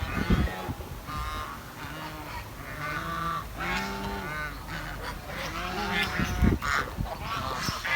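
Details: Village swans giving nasal, trumpeting honks in quick overlapping bursts, with several birds calling at once and some low thuds and background noise.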